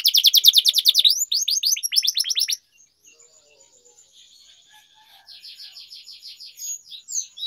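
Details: Canary song used for singing training, long rolling style: a loud fast trill of repeated notes for over two seconds, then quiet pause, faint buzzy roll and a softer rattling trill.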